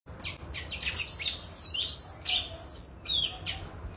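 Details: Sayaca tanager singing free in nature: high, thin squeaky notes and quick sliding whistles tumbling in a hurried, successive run, with a steady low background hiss.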